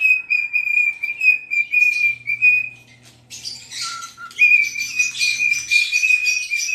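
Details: Pet cockatiel singing as it dances: long flat whistles, a brief drop to a lower note, then a whistled phrase pulsing with harsh chattering overtones, faint hum in the background.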